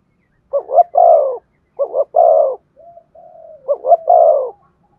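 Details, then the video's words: Spotted dove cooing to prompt singing: three low phrases, each two fast rising hoots and a long falling coo, with soft drawn murmurs between the second and third. "Chim cu gáy kích bổi nhanh nổi. tiếng cu thúc gù hay"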